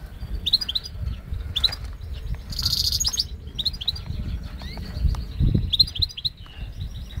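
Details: Goldfinch and canary hybrid singing on Syros: a steady run of high, bright twittering notes and quick slurred chirps, with one brief harsh buzzy burst midway and a low rumbling background noise throughout.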